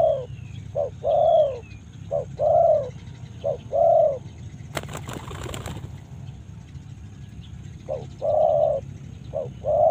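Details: Karawang spotted dove cooing in short-and-long pairs, interrupted midway by a sharp burst of clattering noise, then resuming; faint high whistles and a low steady hum underneath.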